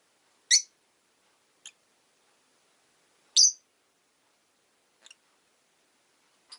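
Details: Five rosy-faced lovebirds in a cage beside a window during winter; short sharp chirps spaced a second or more apart, two loud and several faint.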